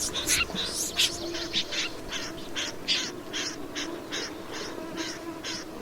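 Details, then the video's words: Snipe calling with a run of harsh, rasping broadband notes, strongest early on, then repeated at a steady pace over a low background hum. "Tiếng chim Rẽ Run"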